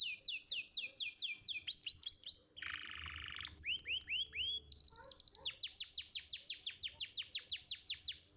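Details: Canary from a champion singing contest, recorded as a training tutor: varied song of fast descending trill phrases, a brief harsh buzzy roll, curved whistled notes, then a long even high-pitched trill.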